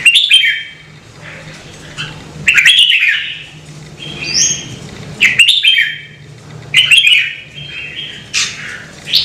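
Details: Red-whiskered bulbul giving energetic song phrases, offered to encourage birds to sing: clear whistled and chirping bursts recurring about every two to three seconds, with brief silences between, and a faint low hum behind.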